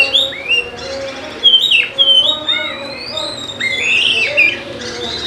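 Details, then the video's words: Oriental magpie-robin (kacer) song to stimulate reluctant birds: long clear whistles, gliding arched notes and a few harsh chirps, phrases spaced out, with a faint low hum underneath. "PANCINGAN KACER AMPUH UNTUK PIKAT KACEER MALAS BUNYI"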